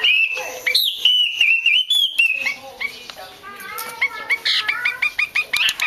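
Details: Calls of a female hwamei, used to trigger singing in male hwameis: a clear, wavering, sustained whistle with upward flicks, followed by a quieter stretch and then a quickening series of short bright chirps.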